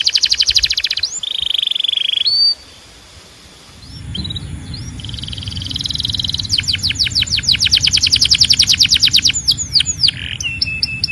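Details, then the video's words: Belgian canary song: a rattling roll and steady whistles, a short pause, then soft curved notes and a long accelerating series of sharp falling chips, with a faint low hum beneath. "Your Belgian Canary Might Sing NON-STOP After This"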